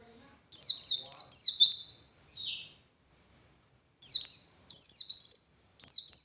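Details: Dakun white-eye singing energetically, a master recording for training other white-eyes: bursts of three or four high, sharply descending chirped notes in quick series, a soft lower note, a pause, then more rapid phrases.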